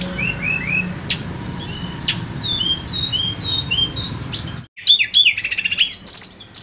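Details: Tledekan gunung (mountain flowerpecker) lure song: rapid run of thin, high, slurred chirps and sharp clicks, busy and twittering, with a brief silent gap before another burst of piercing notes.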